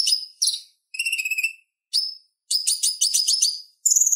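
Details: Purple-throated sunbird singing to tutor kolibri ninja songbirds: sharp chips, a rapid buzzy trill, a lone chip, then a long run of squeaky, jangling twitters ending in a thin high note. No background noise.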